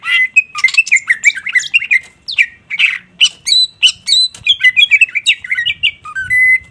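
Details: Greater green leafbird in full, constant song with bursts of phrases; a dense, rapid run of varied squeaky, chattering and whistled notes that leap between high and middle pitches with tiny gaps, ending on a held whistled note.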